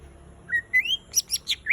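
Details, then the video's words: Greater green leafbird song: short rising whistled notes climbing in pitch, then a quick series of four sharp high chips about a fifth of a second apart, ending on another whistle. "Cucak ijo tembakan ringan isiaan tipissss"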